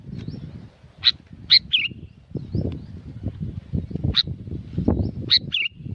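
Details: Sooty-headed bulbul singing loudly at Curug Agung, Subang, West Java, Indonesia. Bright chirps and short bubbly phrases with slurred endings recur every couple of seconds over fairly loud, continuous low rumbling noise.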